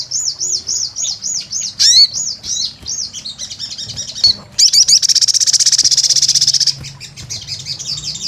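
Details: Sunbird, sogon in lively gacor form, recorded as a pancingan lure: high wavy trilled notes in a steady run, a sharp downslurred note, then a dense buzzy trill for about two seconds before wavy notes return, over faint low hum.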